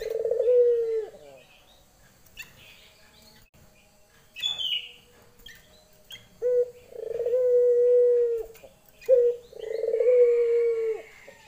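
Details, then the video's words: A female Barbary dove calling to a male gives a long rolling coo, pauses while small birds chirp briefly, then resumes with two more clipped-note-and-purr sequences. "puter betina memanggil jantan"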